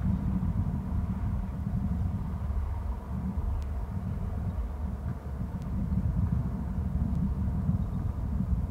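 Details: Low wind-like rumble throughout, broken by three sharp isolated clicks, with no calling.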